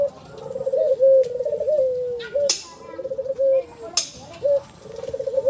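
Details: Pale ivory collared dove with a black neck collar repeating low purring coos, some notes rolled and trilled and others smooth and sliding down, with a few sharp clicks and knocks in the background.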